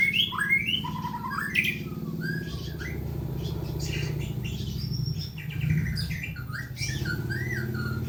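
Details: White-rumped shama song used as a lure for birds at home: bright whistled phrases that rise and fall, some with upward sweeps, over a steady low hum throughout.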